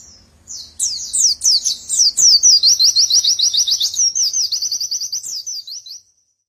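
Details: White-eye in a long unbroken song: high slurred whistles, then a steady machine-gun trill of rapid even notes, shifting into a wavering twittering run before stopping abruptly; clean and close.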